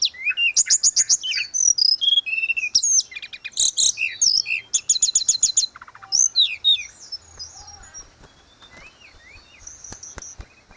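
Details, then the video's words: Lively grey-cheeked bulbul song, recorded as tutoring material for cage birds: dense clusters of rapid high chirps and trills in the first half, fading into softer, sparse whistled notes later. "Terapi tledekan gunung _gacor cocokjuga cocok buat masteran"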